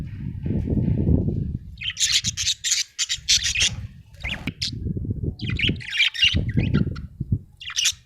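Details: Happy budgerigar chirping: bursts of scratchy, buzzy warbling chatter in several runs, mixed with low rumbling and rubbing noises.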